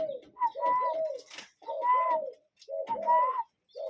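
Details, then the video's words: Cuckoo calling in nature: three bursts of low hooting notes, each a short lower note joined to a longer steadier whistled tone, repeated roughly every second and a half with brief silences between. "Relaxing Cuckoo Bird Sound in Nature"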